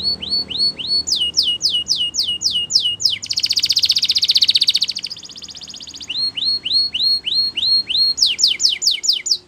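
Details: Belgian canary singing a training song for young canaries: rapid series of rising whistled notes, then a dense buzzing trill swelling and fading, followed by more quick rising whistles repeated about four per second.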